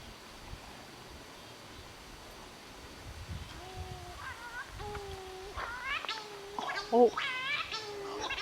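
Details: Cory's shearwaters calling at night in forest on Sao Miguel, Azores: eerie wailing, nasal cries with strong harmonics, several overlapping birds, the calls growing more frequent and louder toward the end; faint rustling.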